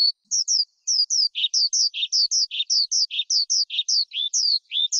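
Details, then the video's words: Forest skylark singing, used by keepers to lure wild birds and tutor young ones: a series of clear, high downslurred whistles, about two per second, broken by lower buzzy notes, in an otherwise quiet recording. "Tiếng Chim Sơn Ca Rừng Hót Hay Nhất"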